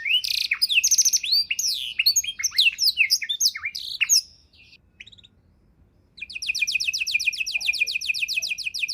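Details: Canary tutor song in rich 'isian mewah' style for training songbirds: dense jumble of high chirps and sweeps, a quiet pause of under two seconds, then a long fast trill of uniform repeated notes.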